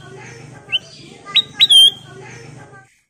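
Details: Golden kutilang emas bulbul lure song: a short rising note, a pause, then two quick upslurs leading into a strong sustained whistle, over a droning background.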